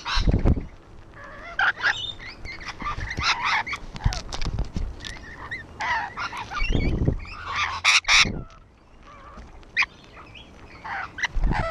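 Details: On a wall, a group of rainbow lorikeets produce rough, rasping shrieks and squabbling chatter in uneven bursts, while heavy low-pitched rumbling and thuds run through the background.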